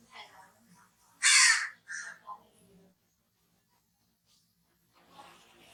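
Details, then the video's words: One loud, harsh crow caw, then two shorter, fainter raspy notes trailing off, with quiet background afterwards. "crow sounds"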